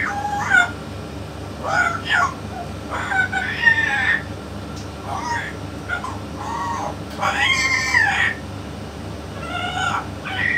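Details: Yellow-naped amazon talking beside a parrot expert: a long run of varied speech-like utterances, short harsh syllables and longer harmonic, drawn-out phrases, coming every second or two, with a constant low hum behind.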